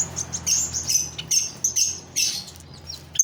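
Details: A lovebird gives short, very high, harsh chirps in uneven bursts, some grouped closely and others spaced apart, over a steady low hum and background hiss.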